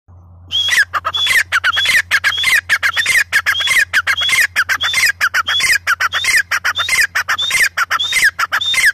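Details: Female grey francolin, or teetar, calling loudly and without pause: rapid harsh phrases, each with a high whistled note and falling grating notes, repeated about every half second over a steady low electrical hum.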